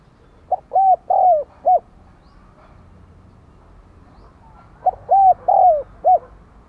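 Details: Decoy spotted dove, 'đồng còi' style voice, calling to urge wild doves to sing. Two soft, hooting four-note phrases about four seconds apart, the middle coos longer and slightly descending, the last note short and clipped.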